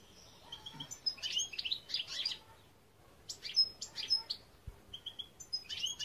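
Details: European goldfinch giving two bursts of quick, high twittering notes separated by a short pause, with thin whistled tones and a brief tail of scattered chirps.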